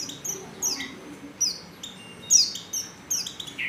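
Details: A female white-eye in heat calls to attract a male, giving irregular high, thin chirps that fall in pitch, some clustered closely together, over a soft background hiss.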